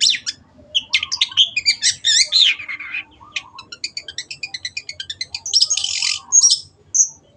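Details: Long-tailed shrike singing vigorously for caged-bird training: scratchy twisting phrases, then a long fast run of evenly spaced ticking notes, ending in harsh bursts and one short pure whistle.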